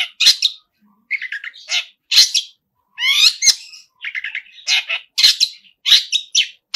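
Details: Long-tailed shrike actively singing a song full of mimicked fills: loud harsh squawks mixed with softer chattering trills and one descending slurred phrase, varied and irregular throughout.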